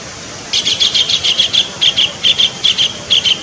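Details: Kingfisher, a bird protected under Indonesian law, in a recording used as a lure to attract kingfishers. After half a second of quiet, sharp, high, chirping notes come in quick pairs, repeated steadily to the end over faint background hiss.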